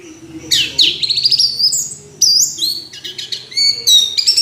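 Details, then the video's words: Orange-headed thrush singing loudly, varied phrases of swooping whistles, buzzy trills and rapid high notes tumbling one after another. "Anis Merah Kicau Sampai Teler"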